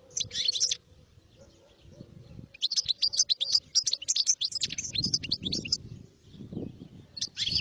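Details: European goldfinch song: bright rapid tinkling twitter of high chirps and trills in bursts, a short phrase then a longer liquid run, with a low rumbling background hum.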